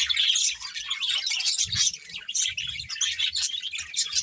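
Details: Several colourful budgerigars chirping while eating: a dense, continuous chatter of high, scratchy chirps and warbles, with soft low thumps from handling food underneath.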